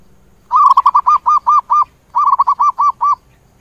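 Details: Zebra dove calling the flock: two rapid bursts of soft, rounded cooing notes, about seven notes in each bursting series, evenly spaced, with a short gap between bursts in a quiet setting.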